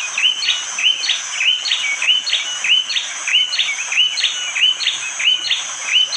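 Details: Morning forest, Wonocoyo Village, Panggul, East Java, Indonesia; a bar-winged prinia gives a loud, sharp chirping phrase repeated rhythmically around every half second, set against constant high-pitched insect buzzing; recorded by Android phone.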